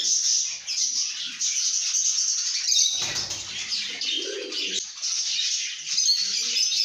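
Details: Happy lovebirds chirping and singing: a steady high, shrill chatter of many squeaks and twitters, broken around the middle by a short rustling flutter and a lower warbling passage.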